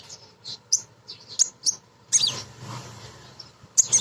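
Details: Thin, high chirps from a female kolibri ninja sunbird, sung as a lure to provoke birds, mixed with a short noisy rustle midway and a faint low hum.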